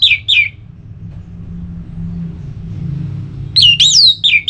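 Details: Ngeplong-style song of an orange-headed thrush, used to stimulate another bird to sing: two sharp falling whistles, a pause filled with faint low hum, then a loud looping whistled phrase ending in a downslur.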